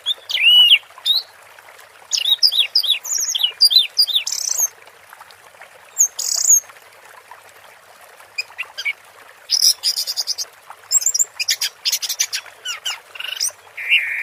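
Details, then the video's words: Orange-headed thrush in teler-style song over water-therapy sound, alternating dense bursts of chirps, trills and whistles with short quiet gaps across a long passage. "Suara Burung Anis Merah Teler dan Terapi Air"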